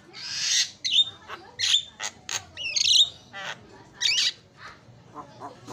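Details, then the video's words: Black-winged myna, a champion singer, giving a varied phrase of harsh rasping bursts mixed with short sharp whistles and clicks, irregularly spaced and fading toward the end. "JALAK KEBO JUARA KICAUAN MERDU"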